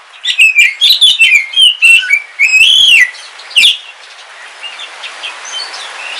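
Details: Kalimantan black oriental magpie-robin kept at home, singing while it rains: a rhythmic series of short whistled phrases, a long upslurred whistle, then steady rain hiss with faint notes.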